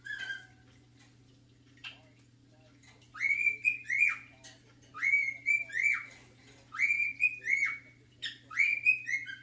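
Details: Male pet cockatiel singing his favourite song: after a couple of soft notes, four repeated phrases of rising then sharply falling whistles, each about a second long with short pauses, over a steady low electrical hum.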